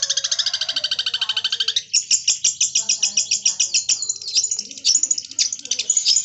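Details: Singing long-tailed shrike copying a lovebird and linking kapas tembak: a fast, even trill of bright high notes, then a jumbled stream of chattering squeaks and chips without pause.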